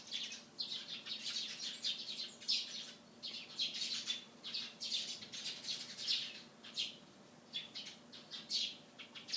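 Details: Morning chorus of sparrows, a rapid run of bright, harsh chirps and tweets tumbling over one another in quick uneven bursts, with short gaps between flurries and a soft low hum underneath.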